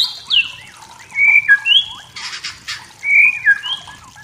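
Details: White-rumped shama singing wild in forest to provoke rivals: clear whistled notes and downslurs in short phrases, interrupted by a burst of rustling noise, then more whistles.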